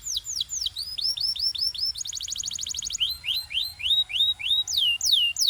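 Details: Canary singing for training: loud repeated downward-swept whistles, a burst of very fast high rolled notes, then rising-falling tours of slurred notes repeated about three per second.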